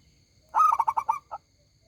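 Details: Local zebra dove in full song with a big, ringing voice: one loud cooing phrase of about six quick pulsed notes, then a short separate closing coo, over a quiet low background.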